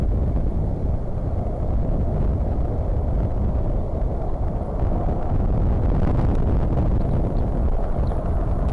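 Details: Loud, continuous low wind rumble on the microphone fills the whole stretch, and no animal call stands out.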